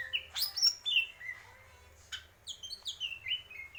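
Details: Greater green leafbird: loud sweeping whistles sliding downward, a pause, then a quick series of high notes falling in pitch, each repeated note clear and ringing.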